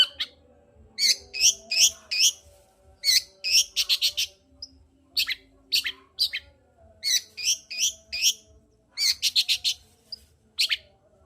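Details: Long-tailed shrike song meant to rouse a silent shrike; rapid chattering phrases of sharp high notes in clusters of three to five, separated by brief pauses, with a low faint hum beneath.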